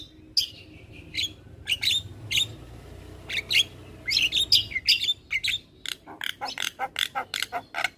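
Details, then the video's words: Javan myna giving sharp whistled notes and squeaky chatter in short bursts, ending in a steady series of clipped chips about four per second. "Jalak kebo gacor"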